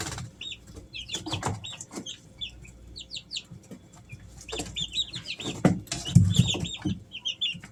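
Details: Easter Egger chicks, three weeks old, chirp in rapid bursts of short high notes, several birds at once, with thuds and shuffling louder toward the end.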